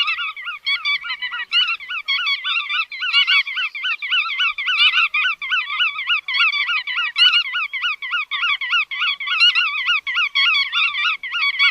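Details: Nearly continuous nasal chatter from chắt đuôi vằn: wavering, honk-like notes repeated rapidly for the whole stretch with hardly a pause.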